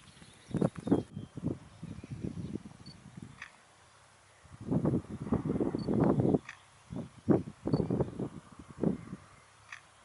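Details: Great egret at Westbroek, Netherlands, on 29 April 2019: harsh, low, rasping croaks in irregular bursts, some clustered closely and others separated by short pauses, with a quiet stretch midway and faint outdoor background.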